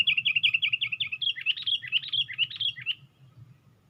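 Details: Sooty-headed bulbul perched on a twig with its wings raised: a rapid series of short chirped notes, then looping warbled phrases that rise and fall, lasting about three seconds, over a low background rumble.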